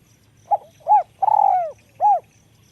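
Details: Spotted dove with a small, high voice in the ลูกกอก calling style: a brief soft note, a hollow rounded coo, a longer rolling coo sliding downward, then a last clear coo. Faint steady ticking and low hum behind.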